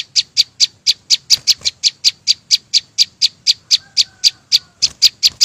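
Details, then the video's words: Flowerpecker singing a fast, even series of short, sharp ticking notes, about four per second, high-pitched and clipped, with a brief faint lower whistle midway. "ssuab no9ó txeeev quaj zô heec tiếng chim sâu xanh hót chuẩn"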